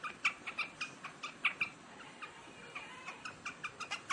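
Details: A large quail at its grain in summer, 3 July 2021, utters sharp clipped chirps, several quick ones, a short pause, then a renewed even run of notes.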